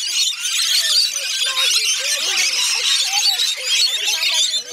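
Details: Rainbow lorikeets crowding in to feed on Magnetic Island, off Townsville, Queensland, Australia, their high shrill squeals blending into a constant chattering roar, with faint voices below.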